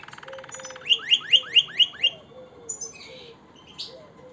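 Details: Harz Roller canary: a short buzzy roll followed by six loud downslurred chirps spaced evenly about a quarter second apart, then a few softer scattered notes.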